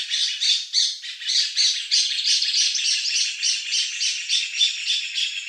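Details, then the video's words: Lined seedeater young male vocalizing, delivering a dense, buzzy, scratchy high-pitched phrase of rapidly pulsed notes, about three to four bursts per second, steady and loud throughout. "LINED SEEDEATER young male vocalizing, (SPOROPHILA LINEOLA), BIGODINHO singing."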